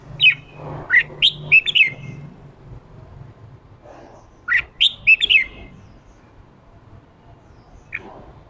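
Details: Newly caught male red-whiskered bulbul pushed into fiery ché singing: a quick string of liquid whistled notes, then several quiet seconds, then a second similar string and one lone note, with a low hum beneath.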